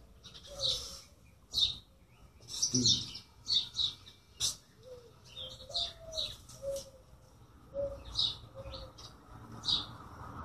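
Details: Busy bird chirping: rapid high chirps every half second or so, mixed with soft lower whistled notes and one brief low thud, over steady background hum.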